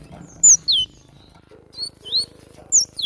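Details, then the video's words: A few bright, high whistled notes from a wild cinereous tit, each sliding downward, spaced out with gaps against a quiet background. "Super gacor burung glatik batu liar"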